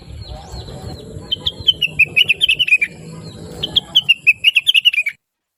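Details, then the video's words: Blue-winged leafbird singing busily as a master song for other songbirds. Two runs of rapid, tinkling notes each drop in pitch toward the end. A soft low murmur runs underneath until the song stops abruptly. "Rengganis / Cucak Wilis Gacor Cerewet Suara Merdu"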